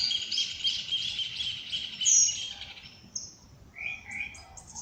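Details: Birds at dawn in nature: a loud, buzzy, rapidly pulsed trill for about three seconds, then short rising whistles and quick high chips from other birds.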